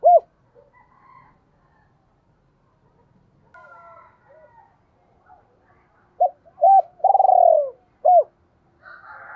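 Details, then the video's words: Decoy spotted dove cooing in a lure-call style meant to provoke wild doves: after soft scattered chirps, one loud phrase of two short clipped notes, a long buzzy falling coo, then a final short arched note. "tiếng gáy gọi giọng hạp bổi dùng kích bổi mỗi ngày"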